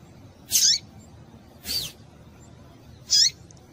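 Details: Female double-collared seedeater in heat calling to excite males: three short, sharp, high chirps spaced about a second or more apart against a quiet background.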